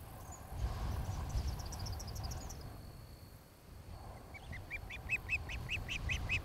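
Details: Nesting osprey filmed by a nest camera in Charlo, Montana, late afternoon of 26 July 2018. A thin high chirping fades early, then after a pause a steady string of piercing whistled chips follows, with wind noise underneath.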